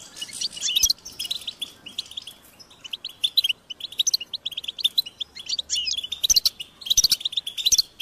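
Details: Begging goldfinch chicks, high-pitched and insistent, calling parents to feed them: quieter chirping builds into fast, busy bursts of thin twittering notes toward the end, with scattered dry clicks.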